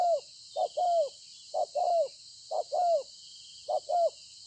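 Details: Spotted dove caught from the wild fields, 26 September 2020: four two-part coos, a clipped note then a longer falling one, spaced about a second apart, against a steady insect hiss.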